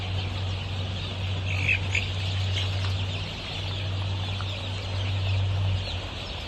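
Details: Golden Misri chicks, 23 days old, kept for poultry farming in Pakistan: a constant high chorus of massed peeps with a few sharper single cheeps standing out, over a steady low hum.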